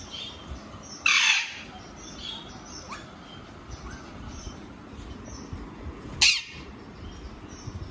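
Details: A young Alexandrine parakeet (Psittacula eupatria) gives two loud, harsh, raspy squawks about five seconds apart, over a steady background hiss, with no clear talking.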